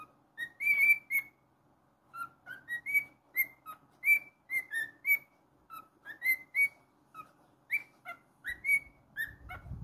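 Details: Whistling song of a pet cockatiel: bright, brief whistles at varied pitches, some rising, some falling, in quick uneven bursts with short pauses. A low thump comes at the end.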